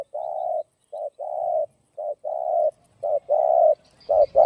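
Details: Spotted dove cooing in the "giọng đồng" style, meant to rouse and lure other doves: soft, low, hooting coos in a rhythmic run of short and long notes. The long notes are held about half a second, with a brief faint rustle at the end.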